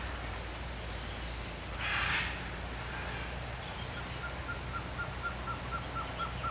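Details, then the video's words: Male blue-crowned trogon singing: a soft, even series of about eight mellow, same-pitched notes spaced roughly every third of a second. It follows a brief louder burst, over steady low hum and background noise. "BLUE-CROWNED TROGON male singing"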